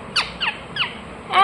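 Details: Ring-necked parakeet kept as a pet: three short falling squawks in quick succession, then a longer, rasping, harsh call at the end.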